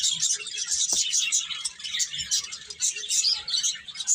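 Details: A crowd of birds chattering in a busy flock: shrill, overlapping chirps and tweets pour out steadily, with a single sharp click near the one-second mark.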